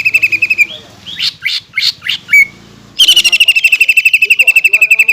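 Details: Green leafbird song used to fire up rival birds, reportedly with kingfisher, magpie robin and shama mimicry; rapid repeated chips, a few sharp notes, then a long, steady, machine-gun trill of about four notes per second.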